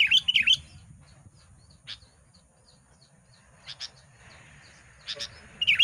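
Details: Caged Sooty-headed Bulbul in Lubuklinggau, used as a calling bird to provoke and lure wild bulbuls. Bubbly whistled phrases burst at the start and again at the end, with faint scattered chirps in a quiet gap between.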